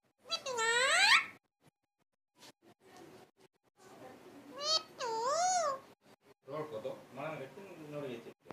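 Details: Pet parrot mimicking speech, saying "mithuwa" indoors: a few high, wavering, voice-like phrases with warbling harmonics, separated by short gaps and soft clicks, ending in lower muttered syllables.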